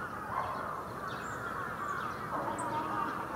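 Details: Large winter flock of bramblings at Yoyogi Park in February 2019: a dense, continuous chatter of many overlapping short calls in the mid range, with a few higher faint notes above and a steady background hum.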